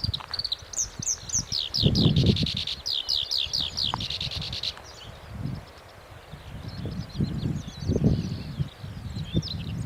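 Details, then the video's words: Black-browed reed warbler song, a fast run of repeated high clicking and buzzy notes in the first half, growing fainter, then softer scratchy phrases over rustling and low wind rumble. "コヨシキリの鳴き声（Black-browed reed-warbler singing）"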